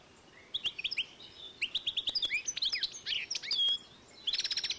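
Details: Hybrid of European goldfinch and canary from 2012 singing a continuous run of high chirped notes, slurred whistles and a closing rapid buzzy trill.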